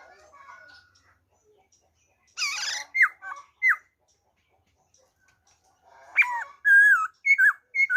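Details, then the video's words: Song in the wild style by a black-throated laughingthrush, 26 December 2020: soft warbling start, a harsh buzzy burst, sharp downslurred whistles, quiet pause, then looping, wavering whistled phrases and short bright notes. "khướu bạc má hót giọng rừng"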